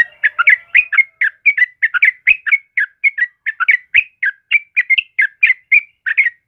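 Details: Active yellow-vented bulbul song for tutoring caged birds: a continuous run of short, liquid, chattering whistled notes, about four per second, bright and slightly rising, with no other sounds.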